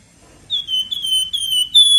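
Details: Lively flamboyan giving nyiul-type song suited to tutoring other birds: a run of pure, slightly descending whistles that gets louder and ends on a sharp rising note, with low room murmur.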